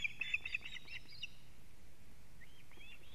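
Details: Osprey alarm calling from a nest in Latvia as the male delivers a living fish, live camera recording, 19 July 2017, 19:43. A quick burst of bright piping notes fades into a few faint, rising whistles.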